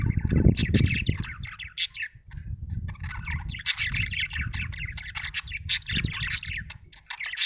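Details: Budgerigar chattering with squeaky chirps, short squawks and high tweets throughout, over steady low rumbling noise.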